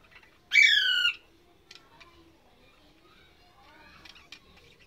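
A budgerigar gives one loud, harsh, buzzy squawk, followed by faint chirps and chatter.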